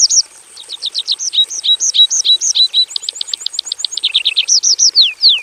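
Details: Caged Javan bush lark in a simple aviary, in loud full song: rapid series of looping high notes, then a quick repeated stutter, then falling slurs ending in long downward whistles.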